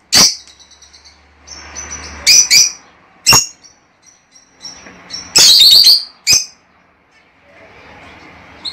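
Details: Lovebirds, song meant to encourage mating: scattered piercing squawks and thin high chirps, with a loud rasping, chattering burst a little past five seconds.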